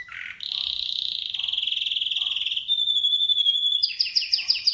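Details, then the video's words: Canary singing: a low note, then long fast trills near the top of its range, a steady whistled tone and finally a run of quick descending sweeps. "Canary's voice A very beautiful canary's chirping canary's voice"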